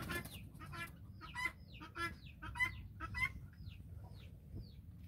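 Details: Guineafowl flock following a hen on a farm; harsh, buzzy rhythmic chatter in quick bursts, then a few thin descending whistles trailing off.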